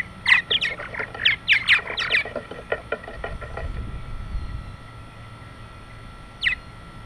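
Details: Purple martins arriving for the night to roost in the evening: a quick burst of overlapping gurgling, chirpy notes during the first two seconds, then near quiet with one last chirp near the end.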